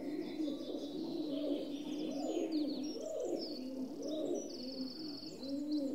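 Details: Rock dove cooing: soft, low, arched notes repeated about once a second throughout, with thin high chirps and trills from other birds above.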